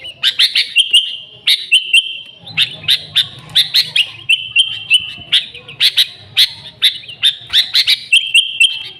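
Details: Sooty-headed bulbul singing loudly, used to attract others of its kind. Paired chips are each followed by a held whistle, and this pattern repeats roughly every second.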